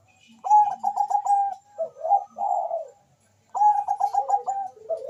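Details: Zebra dove, Bangkok type, calling fast and answered by a rival: a crisp run of about eight quick repeated notes ends in two purring coos, then silence before another rapid stuttered run begins.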